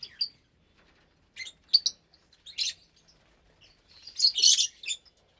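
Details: During a January 2023 meal time, about 25 lovebirds of mixed colour mutations share one cage. Sharp, squeaky chirps and harsh squawks rise to a loud grating squabble near the end.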